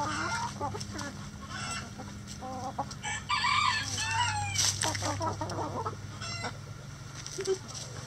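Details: Rooster crowing in a chicken coop: a drawn-out, harmonic-rich crow rises and falls midway through, surrounded by steady clucking and short chatter from the flock, with a low background hum.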